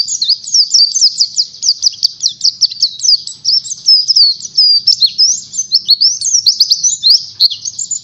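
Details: Oriental white-eye song used as a lure recording to teach other birds the ngalas style: a rapid, continuous run of thin, high, slurred chirps and downslurred whistles, steady for eight seconds, with a faint low hum beneath.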